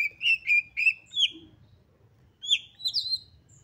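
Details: Oriental magpie-robin in highly excited song, used to spur other magpie-robins into singing: four rich whistled notes in quick succession, a pause, then sliding, rising whistles with higher overtones.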